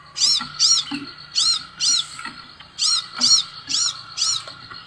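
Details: Scarlet sunbird pouring out rapid, ringing high notes, each curved up and down, in two bursts of four separated by a brief pause, with a soft low hum behind.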